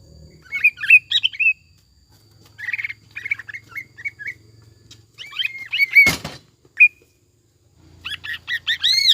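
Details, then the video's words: Energetic gacor, jamtrok and ngekek lure song of a greater green leafbird with tengkek buto fill: rapid slurred whistles and chattering bursts, a single sharp click, then a rising flurry of notes. "PANCINGAN CUCAK IJO GACOR JAMTROK NGEKEK ISIAN TENGKEK BUTO DAN LAINNYA"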